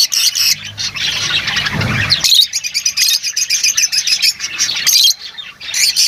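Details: Several lovebirds chattering continuously in shrill, scratchy high notes, with sharp squeaky bursts standing out and a low rumble early on.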